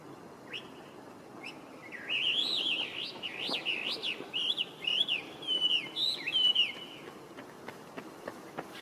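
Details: Wild Chinese hwamei, an introduced resident bird, in song on 23 November 2025. After two short whistles, a rich five-second stretch of rising and falling whistled phrases rolls on, varied and melodious. Scattered clicks trail off afterward.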